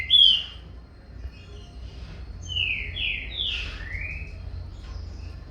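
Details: Green-winged saltator youngster in a song contest with its father, captive birds: a sharp opening whistle, then a run of three or four loud slurred whistles, rising and falling, over low background hum.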